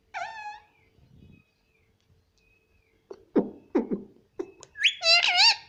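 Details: Pet Indian ringneck parrot indoors saying "mummy": one harmonic utterance, then a run of quick percussive clicks and pops, ending in a louder burst of rapid, wavering parrot vocal notes.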